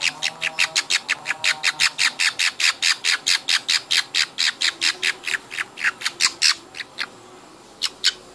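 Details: Hand-fed baby budgerigars give a long, fast train of harsh, scratchy begging squawks, nearly four per second, trailing off into a few scattered calls at the end.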